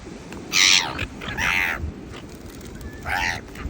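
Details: Beach seagulls fighting for food give three short, harsh, high squealing cries spaced about a second apart, over a constant low rumbling background.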